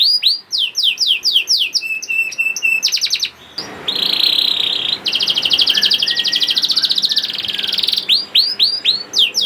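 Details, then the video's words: Song of a young canary as a lure for canaries that sing poorly: swept whistles and flat notes, then long buzzy rolling trills in the middle, with swept whistles returning at the end. "PANCINGAN KENARI PAUD TERBUKTI AMPUH MEMANCING KENARI SUSAH BUNYI IKUT GACOR"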